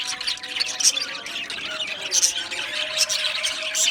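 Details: Australian budgerigars in an aviary colony, a dense chorus of overlapping high chirps, squawks and warbled chatter, with short sharp peaks around one and two seconds and steady faint low tones underneath.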